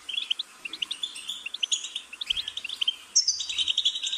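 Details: Short burst of goldfinch song, a rhythmic series of crisp high chips leading into a louder, jangling twittered flourish, over faint background hiss.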